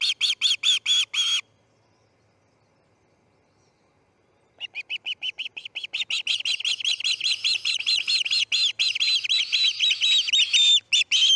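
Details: Fledging morning at the Charlo osprey nest, August 10, 2018, 6:03am MDT: a quick burst of shrill chirps, a three-second pause, then a long steady stream of rapid high whistled calls growing louder.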